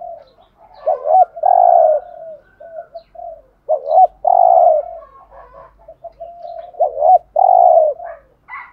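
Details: A spotted dove kept as a lure coos in three repeated phrases, each two short rising notes then a sustained rough coo, with soft low murmuring between.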